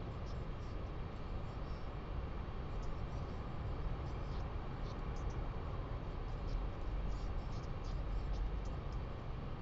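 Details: Steady low broadband rumble like wind buffeting a microphone, with faint scattered high ticks and no animal voice.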